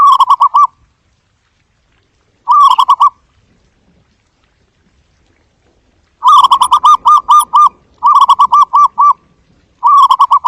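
Zebra dove giving short bursts of rapid, soft staccato coos, each run of notes lasting about a second, with pauses between. The background is otherwise quiet.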